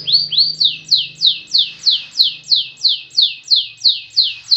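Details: Singing canary performing the 'satu titik' single-note style: a steady run of identical high, bright, rising-then-falling whistled notes, about three per second, with faint low hum in the background.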